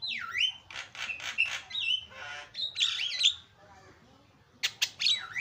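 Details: Javan myna (jalak kebo), noisy isian song used to tutor birds: swooping whistles, rough repeated grating bursts and squeaky notes, a quiet gap, then sharp clicks and a final swooping whistle.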